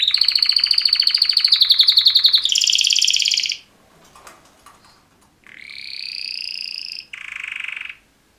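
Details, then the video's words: Male canary mating call song: fast rolling trills shifting to a lower buzzy roll, a quiet pause with faint rustling, then long steady high tones and a closing lower buzz. "Super Two Males Canary Mating Call Songs"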